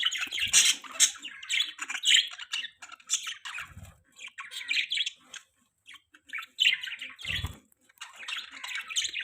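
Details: Pet parakeets squawking and chirping, clusters of raspy notes separated by brief pauses, with occasional low thuds.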